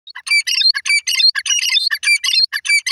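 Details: Female Iranian gora teetar, a francolin, calling: loud, harsh, grating notes in quick bursts, several a second, high and scratchy, with short gaps and no other clear sounds.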